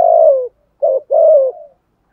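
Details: 'Thổ'-voiced decoy spotted dove giving 'thúc gù' coos to entice wild doves that rarely call: a long falling coo, a short pause, then a brief clipped note and another sustained coo trailing off softly.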